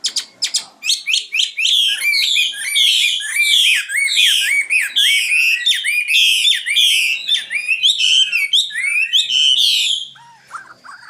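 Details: Common nightingale singing a dense, continuous run of rapid hooked notes, each phrase sweeping up and down at high pitch and repeated many times in quick succession for about ten seconds, then fading into softer notes.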